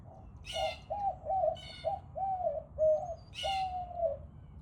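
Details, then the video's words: White-winged dove giving a steady series of low, hooting coos, each drawn out and slightly falling, with brief higher chirps from other small birds in between. "White-winged dove."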